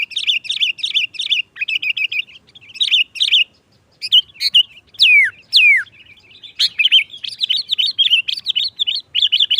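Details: A lively, loud Sooty-headed bulbul song is played as a trapping lure to excite other bulbuls. It has bursts of quick chattering notes and two long, clear whistles sliding steeply downward, followed by more rapid chirps.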